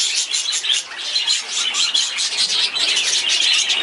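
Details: Budgerigars in a breeding cage within an aviary give a dense, continuous chatter of high, overlapping chirps and squawks that rises and falls in loudness without any clear pause.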